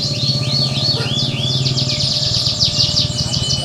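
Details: Contest canary song for training a champion bird's mentality: rising and falling whistled slurs lead into buzzy rapid trills from several overlapping birds, backed by a constant low drone.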